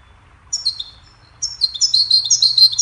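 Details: Goldfinch song played to teach and train songbirds: a short burst of high twittering notes, a pause, then a denser run of rapid, tinkling chirps and trills to the end.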